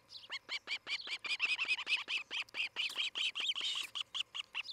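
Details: At Charlo, Montana, an osprey nest on a July 2018 morning gives a continuous, dense stream of shrill whistled chirps, overlapping and slightly ragged, kept up for the whole stretch.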